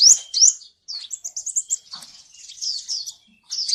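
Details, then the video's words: Olive-backed sunbird song used as a lure for a bird that rarely sings: sharp rising chirps, a quick twittering run, and a thinner sustained warble, closing with another loud upslur. "PANCING SUARA Burung Kolibri Ninja yang males bunyi agar rajin bunyi,gacor, dan ngeplong"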